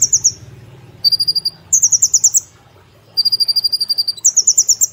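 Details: Brown-throated sunbird kept as a cage bird, singing briskly in the 'nembak platuk cililin' style for training other birds: short bursts of rapid high trills, alternating between a lower and a higher pitch, with faint low hum behind.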